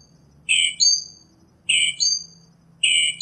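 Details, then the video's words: A northern mockingbird gives a rough burst followed by a bright descending whistle, repeated three times at even intervals of just over a second. Little else is audible beyond a soft low hum. "Northern Mockingbird Song, Sound, Voice, Call, Melody - Sinsonte Canto - Mimus Polyglottos"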